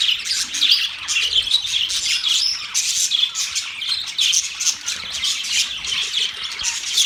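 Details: Flock of pet budgies in steady chatter, overlapping bright chirps, scratchy squawks and warbled twitters running without a break for seven seconds.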